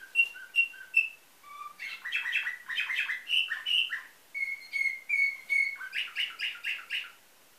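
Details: Bulgarian-bred canary from Varna, 2013, with nightingale-type song: short whistled notes, then dense rolling trills, a run of even piping notes and a final fast rattle.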